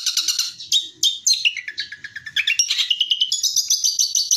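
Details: Rapid-fire tembakan song of a long-tailed shrike, used as training material for other birds: quick bursts of sharp, high chirps tumbling downward, then a steady run of fast, evenly repeated whistled notes.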